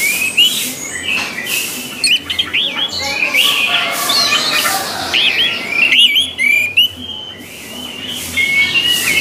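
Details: An orange-headed thrush delivers a long varied song, meant to train thrushes to sing: tumbling whistles and chattery notes, with a pause and a short burst of high chirps, then a thin clear whistle near the end.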